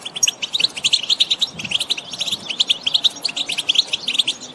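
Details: Several European goldfinches trill and call in the countryside. Sharp, high, sparkling chirps follow each other in quick, rhythmic succession, forming a steady, lively twitter.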